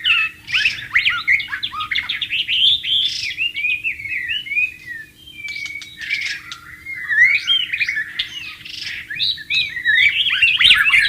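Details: A white-rumped shama singing in the wild with running water audible: dense sequences of sharp whistled notes, slurred rising phrases and a sustained pure tone mid-song, over a faint constant hum.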